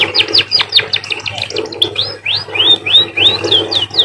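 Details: Canary-like song of a munia (emprit): clipped, steeply falling chirps tumble together, then give way to longer arched whistles rising and dropping in a bright, lively sequence, with a soft low hum beneath.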